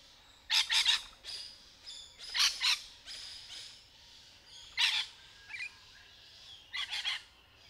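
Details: Rainbow lorikeets (Trichoglossus moluccanus) playing in trees during courtship, giving a mating call: loud, rasping double screeches repeated about every two seconds, with a thin squeak between them.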